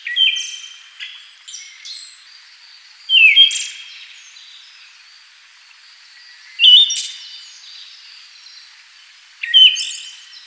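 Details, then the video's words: Siberian Thrush (Zoothera sibirica): repeated song phrases roughly every three seconds, each a bright whistled note with a quick drop then steady pitch, tailed by high thin buzzy trills; faint chirps fill the gaps. "白眉地鶇/Siberian Thrush"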